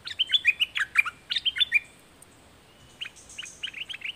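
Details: Red-whiskered bulbul song: two lively phrases of cheerful, rolling whistled notes in quick succession, a short pause, then softer, more distant answering notes in a similar pattern.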